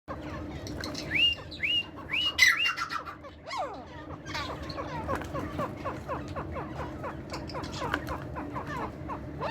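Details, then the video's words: A partridge (tetar) sings a few clear, whistled notes that rise and then drop, spaced about half a second apart, amid a busy chatter of other small birds chirping. "Beautiful Singing Tetar"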